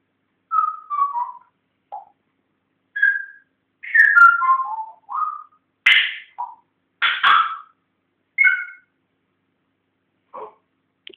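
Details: Whistles from a male pet African grey parrot that is learning to talk: short clear notes sliding downward in little stepped sequences, a few harsher bursts between them, then sparse quieter notes near the end.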